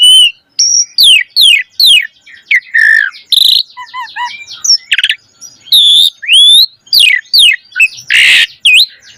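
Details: Energetic song of a Javan pied starling, meant to prompt young birds to sing: varied loud whistles rising and falling, chattering notes and a short rasping burst, delivered in a quick continuous flow.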